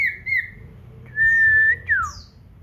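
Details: Caged common iora singing actively: a short double whistle, then a long, steady, drawn-out whistle of about half a second, ending in a quick falling slur, with quiet room hum beneath.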